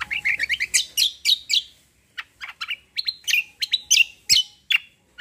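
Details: Energetic cucak song in combo style with rolls: quick series of bright rising-falling whistled notes, a brief pause near two seconds, then more loud, sharp chirps repeated roughly every third of a second.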